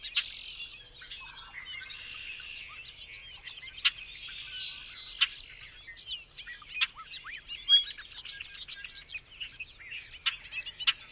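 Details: Bobolink delivering a bubbling, rollicking song of twangy, banjo-like notes and buzzy slurs, interspersed with sharp clicks and brief pauses, over a quiet background.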